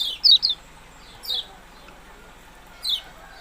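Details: Yellow-bellied prinia: a quick burst of three high, falling chirps, then two softer single chirps after gaps of about a second and a half.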